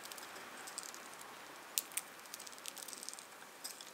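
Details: A pet Java sparrow husks seeds from a 40-seed mix, picking out favourites: soft, irregular dry crackles and ticks ('saku', 'puchi') with a few sharper snaps over a faint steady hiss.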